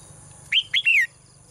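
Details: Morning song of a caged female bird: two quick bright chirps followed at once by a longer whistled note that slides downward, all within half a second.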